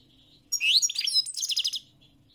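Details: European goldfinch giving a single rich phrase: a rising whistled note, tangled high twitters, then a fast run of evenly spaced ringing notes, over a faint steady hum.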